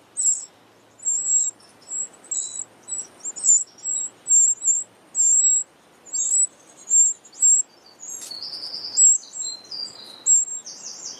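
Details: Eurasian wrens, a family at their large nest sheltered under a pavilion from wind and rain, give a steady run of sharp, very high-pitched squeaks, some drawn out into thin whistles, with brief gaps between them.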